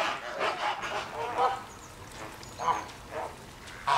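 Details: Flamingos at Llanelli Wetland Centre in Wales, August 2021, giving a few scattered nasal honks, sparser and softer, with a louder call at the very end.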